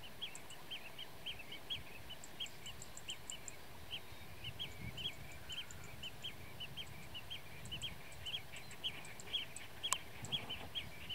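Blue-tailed bee-eaters give short, bright, rolling chirps, about two each second, overlapping as if several call together, over a low rumble of background noise.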